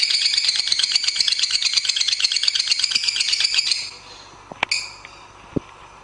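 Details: Lovebird master song used to train songbirds in the morning or evening. A rapid, shrill, buzzing chatter of tightly packed pulses lasts about four seconds, then stops abruptly, leaving a few faint clicks and taps.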